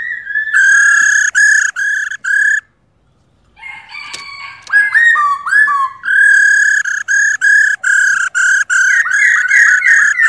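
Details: A female laughingthrush, whose calls are used to stir males into singing, gives a run of harsh, nasal repeated notes, about three per second, broken by a brief pause and a burst of squeaky varied notes.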